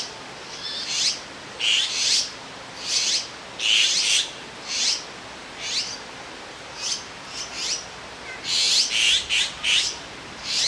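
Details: In Jirisan National Park, South Korea, large azure-winged magpie fledglings that have left the nest sit side by side on a branch and give harsh, raspy, high begging squawks in short bursts, one or two a second, while waiting for a parent to feed them.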